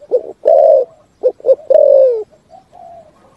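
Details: 'Thúc gù' cooing of a spotted dove in a full song, ringing through forest: a short coo, a long drawn coo, two quick notes, then a long falling coo trailing off into softer notes.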